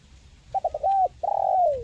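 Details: Spotted dove, a local Indonesian dove, used to coax quiet caged birds into calling: four short stuttered low coos, then a longer falling coo, then a long drawn-out descending coo, over faint low background rumble.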